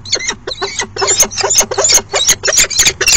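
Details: A male and female falcon meet at a nest box for a brief courtship dance on an afternoon of 29 September 2016. Loud, rasping squealed notes come in a fast, slightly uneven run, about three per second.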